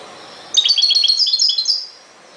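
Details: European goldfinch song, 2021: one rapid, liquid twittering phrase of about one and a half seconds, high tinkling notes tumbling quickly together, against a quiet hiss.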